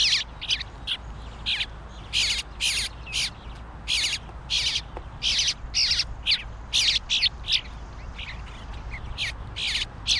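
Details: Fledgling bluebird loudly demanding food while deep in it: a rapid, insistent series of harsh rasping squawks, nearly continuous bursts with brief gaps, against faint low background noise.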